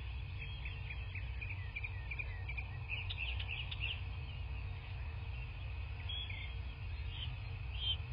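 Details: High, squeaky piping notes from a bald eagle at a nest in southwest Florida, nest-cam recording, 17 March 2024 at 09:12; a string of short chirps builds to a busier burst, then thinner calls near the end, all over constant low rumble.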